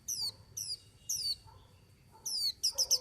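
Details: White-eye singing: short, high, sharply descending whistled notes with bright overtones, five phrases in three seconds, the last ones clustered quickly together, over a faint low rumble.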